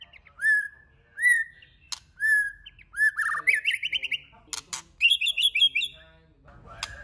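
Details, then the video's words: Several slurred, upward-inflected whistles from a white-rumped shama, sung to prompt other shamas to sing. They lead into a fast buzzy trill, sharp clicks and a high twittering run, with faint low background noise at the end. "Kích Chòe lửa hót nhiều giọng"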